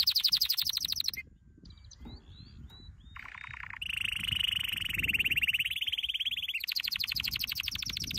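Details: Canary training song: a rapid high buzzy trill for about a second, a pause with a few thin scattered notes, then a steady lower rolling trill for several seconds, finishing with another fast high trill.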